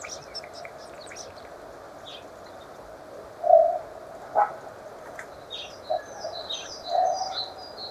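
Common starling giving scattered high, thin chirps and whistles, with a few short, low, hoarse notes every second or so in the middle.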